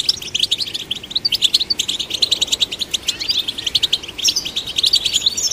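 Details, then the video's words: Goldfinch song for stimulating goldfinches. Bright, rapid twittering pours out as a stream of short, ticking high notes with tinkling bursts and brief pauses, steady throughout. "Golden Songbird vocal performance to stimulate the goldfinch"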